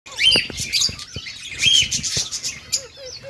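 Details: Several peach-faced lovebirds calling: shrill, high chirps and squeaky notes in irregular bursts, with short sharp clicks and a few soft lower whistles.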